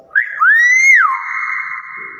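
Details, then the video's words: Common hill myna in full voice, as its keeper describes it delighted: one short rising note, then a clear whistled sweep climbing and breaking into a long steady tone, with faint chatter after. "BEO GACOR SUARA ASLI"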